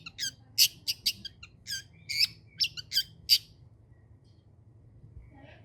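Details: Long-tailed shrike giving a burst of harsh, scratchy chips and squawky notes roughly every third of a second, stopping after about three and a half seconds into near silence.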